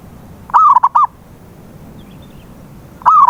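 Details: Zebra dove cooing as a lure to prompt a silent dove to sing: one full phrase of a long coo then quick short coos, and a second phrase beginning at the end, against a quiet low background.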